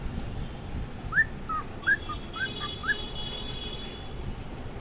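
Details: A pet cockatiel in the morning gives six soft, short whistled notes in about two seconds, upward-sliding chirps alternating with lower blips, over a steady low hum and a faint high electronic tone.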